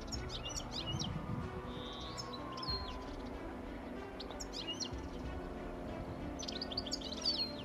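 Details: European goldfinch singing: bursts of high, rapid twittering and tinkling notes come in short clusters, separated by pauses, over a steady low background hum.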